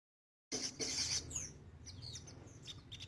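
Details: Crested jay, called sogon locally, singing actively: short bright, high buzzy notes repeated rapidly for under a second, then a run of quick rising and falling chirps over a low steady hum.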